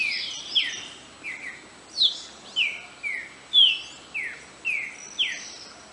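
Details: A well-hidden Green-winged saltator gives loud, clear whistled notes, each slurring sharply downward, in an uneven series of about eight over six seconds, with soft background hiss.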